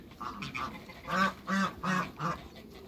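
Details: Cayuga and mallard hybrid ducks: soft quacks at first, then four louder, drawn-out nasal quacks in a steady series.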